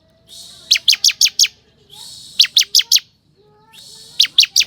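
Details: Bar-winged prinia, crystal ciblek type, song used as a lure to draw wild forest birds into responding: a buzzy, raspy burst followed by four or five sharp, high, downslurred notes, the phrase repeated three times; faint low background hum.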